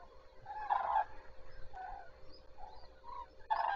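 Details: Common cranes greeting the day at Zastawie reservoir, 14 September 2023; clear, separate bugling notes, a strong call at the start, several quieter ones, and another loud call at the end.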